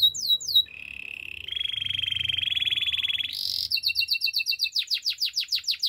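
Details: Varied canary song for training: a few falling sweeps, then a steady buzzy rolled trill held over a second, a short high burst, and a rapid pulsed trill of repeated clipped notes.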